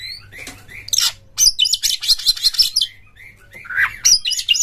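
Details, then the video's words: Oriental magpie-robin lure song for prompting other birds, delivered with tail opened and rough material: soft rising whistles at first, then loud scratchy buzzing trills in quick bursts, ending with a swooping whistle and more harsh notes over a low hum. "suara PANCINGAN KACER GACOR TOP2024 kacer Buka Ekor KONSLET bongkar MATERI KASAR agar KACER gacor"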